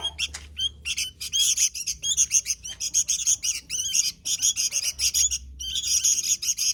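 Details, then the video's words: Sooty-headed bulbul singing actively, a dense, fast stream of high chirps, squawky notes and short rising slurs in quick bursts with brief pauses, over a faint low hum. "Suara Burung Kutilang Gacor"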